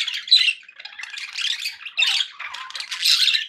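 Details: Budgie chatter for pet parakeets: bursts of squawky, buzzy warbles and sharp squeaks, coming in uneven surges roughly every second or two.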